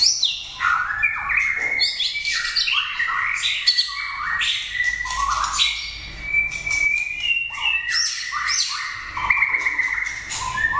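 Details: A prize-winning competition White-rumped Shama from Vietnam, placed in contests of 80 cages, sings a rich, continuous run of varied whistles, chattering notes and sharp rising phrases, with no pauses, loud and bright throughout.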